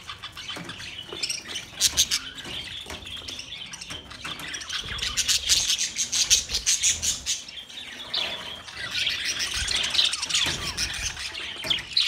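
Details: Flock of budgerigars, Australian parrots, on 13 March 2024: dense high chirping and twittering, sharp ticking notes in bursts, constant chatter of several birds with faint low background noise.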